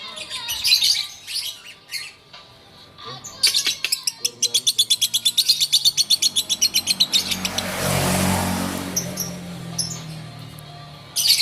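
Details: Lovebird of bawor type from Takengon, Aceh, giving scattered chirps, then a quick rhythmic burst of shrill chattering notes, before a loud rushing noise covers the sound and a final chirp returns.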